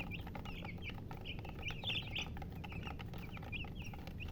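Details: A few baby chicks give high, wavering peeps, some louder and trilled, spaced irregularly over a low humming background.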